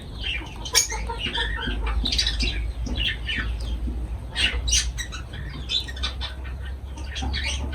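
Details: Several shrill lovebird squawks and sharp chirps while the birds feed, coming in uneven clusters against a constant low-pitched background drone.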